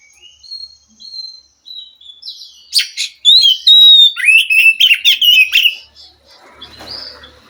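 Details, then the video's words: Wild forest Oriental magpie-robin singing in response to a caged bird that is reluctant to sing. Soft rising whistles open, then a loud burst of rapid, varied whistled and chattering phrases, fading to faint rustling at the end. "Suara Kacer asli hutan mampu merespon Kacer yang malas bunyi Kacer macet"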